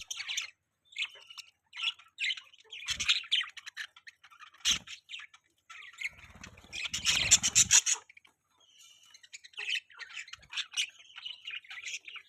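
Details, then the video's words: Budgies keep up a steady, irregular chatter of bright chirps and scratchy warbled notes. A louder, rasping flurry comes about two-thirds through, and a few brief knocks sound in between. "Beautiful Budgies Chirping Sound"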